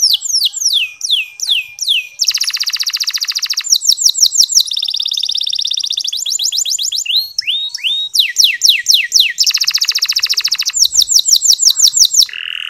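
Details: A local canary sings non-stop in clear, high, bright phrases: rapid runs of falling whistles, buzzy rolls and sharp trills, switching pattern every second or two; the song is meant to stimulate sluggish male canaries to sing.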